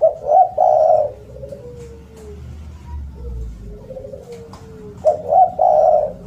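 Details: Loud spotted dove coos open and close the phrase, with quieter sliding low notes between and faint sharp ticks in the background. Recorded as a lure and tutor for doves that stop calling.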